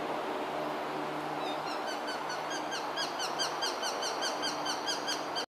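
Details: Japanese sparrowhawk pair at courtship feeding, male about to hand over prey and female after taking it, compact camera recording. A rapid run of high, clipped, repeated kew notes starts after a second and continues to the end over constant broadband noise.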